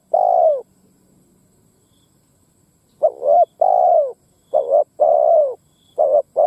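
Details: Spotted dove coo used as a fighting lure for wild doves: one long coo, a silent gap, then a run of double short notes and drawn falling coos, ending on clipped notes.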